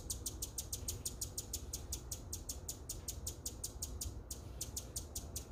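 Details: Hummingbird chirping: sharp, high, clicky chips repeated steadily about five times per second, with one short pause near the end, over a faint low rumble.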